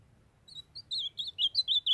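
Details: Brazilian ultramarine grosbeak: a young male sings while a female calls to stir him up. The phrase is a rapid run of bright, high, slurred notes that grows louder and speeds up, clear against a quiet background.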